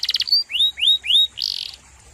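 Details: Brief canary phrase from a songbird tutor recording: a few rapid clicks, then three clear upward-sweeping whistles, ending with a short harsh buzzy burst.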